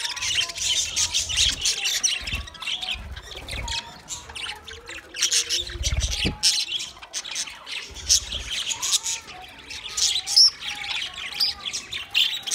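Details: Budgerigars, twenty pairs, chatter in a constant buzzy, squawking chorus with softer warbled notes below and intermittent low thumps.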